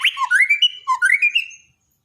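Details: Borneo white-rumped shama, daily tutoring song for birds that went quiet. A short phrase of quick alternating whistles that swoop low and then rise, repeated twice before fading.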